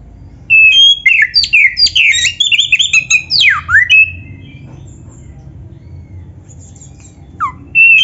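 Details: Oriental magpie-robin, black-breasted form, delivers a rapid string of loud whistled and chattering notes for about four seconds, including a steep downward slur, then near silence broken by a single falling note and a final phrase.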